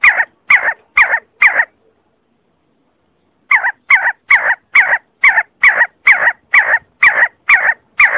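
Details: See-see partridge call: a burst of five short, loud, clipped notes, a brief pause, then the note repeated about twice a second in a steady run.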